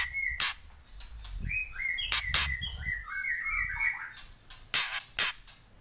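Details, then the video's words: White-rumped shama giving loud kretek calls: sharp rasping bursts, single and paired, framing a run of bright whistled notes that step and slur through a mid-high range. "Kretekan Murai Keras"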